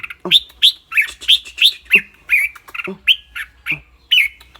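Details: Red-whiskered bulbul kept in a cage, chattering briskly between song notes: a fast, uneven run of bright upslurred whistles and short buzzy notes, about three per second.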